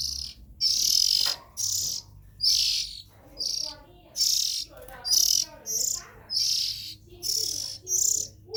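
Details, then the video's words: Young Oriental magpie-robins in the nest give a steady run of short, rasping, high-pitched hiss-like calls, roughly one per second, with faint murmuring voices in the background. "Tiếng Chim Chích Chòe Than Non Kêu Hay Nhất"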